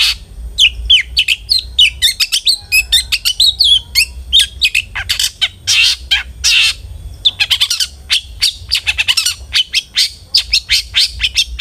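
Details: Long-tailed shrike song meant to draw other shrikes into singing: a fast, lively chatter of short clicks, twittering slurs and harsh buzzy bursts, almost continuous, over a faint low hum.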